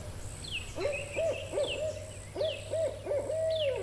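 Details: Barred owl calling in the background outdoors, described as sounding mature: rapid clusters of short, rounded hoots, three to a group, ending in a longer held hoot. Faint higher descending notes, a low hum and a thin high whine are also present.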